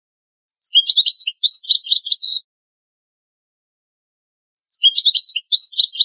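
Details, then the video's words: Old recording of European goldfinch song: two long bursts of rapid, liquid, twittering high notes mixed with short buzzes, separated by about two seconds of silence. "شريط نادر للغة الحسون الاصلية Chant chardonneret ancien"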